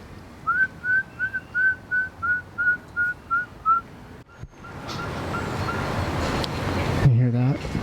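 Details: Pygmy owl (genus Glaucidium, tiny owl), heard near a tropical bird garden in the Riviera Maya, Yucatan Peninsula, gives about ten short, clear whistled toots at roughly three per second, followed by background rumble and a brief human voice.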